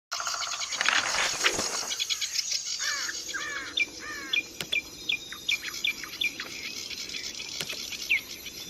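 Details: Zitting cisticola, a newly caught wild bird, singing short sharp zit notes repeated several times per second over a hissy outdoor background, with a denser burst of mixed chirping at the start.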